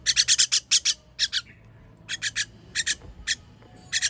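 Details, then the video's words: Baby birds begging as they are fed on 21 June 2023: a loud opening burst of rapid hissy rasps, followed by paired and single scratchy notes at irregular intervals. "Baby bird baby bird feeding"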